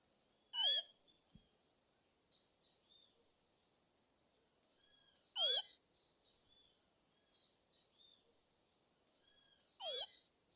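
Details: Black-backed tanager (Stilpnia peruviana) giving three brief, piercing, richly layered high notes at intervals of about five seconds, with a quiet faint whistle before each, and no other sounds.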